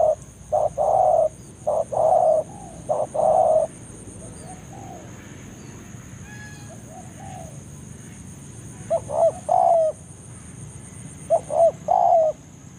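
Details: Spotted dove in forest, a lure call to draw a rival to the trapping ground: three loud mid-pitched coo phrases, a pause, then two more phrases, each of short notes ending in a longer descending coo, over a steady high whine.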